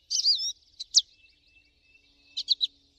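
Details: American goldfinch singing in the wild: a wavering, slurred high whistle, a couple of sharp single notes, then a quick trio of chirps after a quiet spell.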